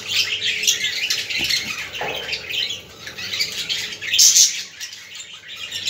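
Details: Budgerigars chattering to stimulate other budgies, a dense noisy warble of scratchy squawks and chirps that overlap continuously, with a few louder bursts.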